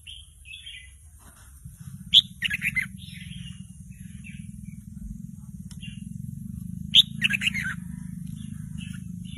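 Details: Juvenile caged red-whiskered bulbul learning its song, stirred into singing along with a bird recording played to it; short whistled phrases and two lively chirpy runs, over a steady low electrical hum starting partway through.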